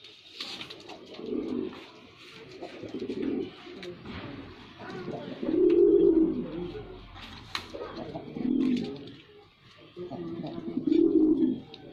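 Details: A white male pigeon gives low, throaty, rolling coos, each lasting about a second, repeated every two to three seconds in a small, echoing room.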